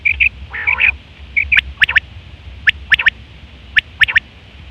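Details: Calls of a female quail, recorded to lure quails: high, clipped tonal notes and a brief raspy, nasal burst, followed by spaced pairs and triplets of sharp, dry ticks.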